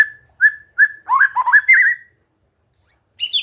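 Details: Relaxed training song of a white-rumped shama (murai batu): three spaced clear whistles, a rapid warbling tumble of notes, a silent gap, then thin high whistles.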